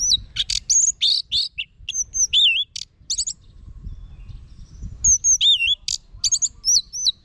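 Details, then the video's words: Continuous orange-headed thrush song: dense bursts of sharp notes and curling whistles, with a brief lull midway. "Guru Vokal ANIS MERAH Agar Selalu Ikut Nyaut Ngeplong di Rumah"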